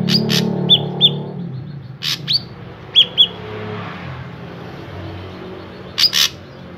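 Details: Drongo song used to prompt other drongos to sing: harsh scratchy notes mixed with short level whistles, often doubled, over a low hum that fades after the first second.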